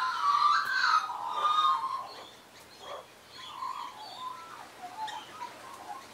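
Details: Australian magpies, wild regulars perching on a person's arm and knee in a 2015 clip, sing rich, fluty warbling phrases, loudest and busiest at first, then trailing into softer, scattered notes over a quiet background.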